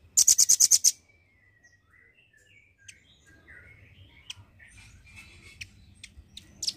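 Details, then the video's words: Velvet-fronted nuthatch, a constant singer, with its song used as a tutor for songbirds: a rapid trill of about eight loud, sharp high notes, followed by faint whistled slurs and scattered clicks over low rumbling noise. "BURUNG RAMBAT GACOR...!! JENIS RAMBATAN PARUH MERAH YANG DI JADIKAN UNTUK MASTERAN BURUNG KICAU ."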